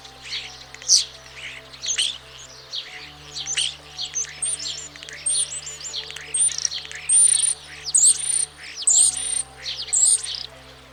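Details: Varied European Starling song, sung in mating season to impress partners: dense chatter of clicks and squeaks rising into very high, wavering whistles near the end, over a quiet low hum.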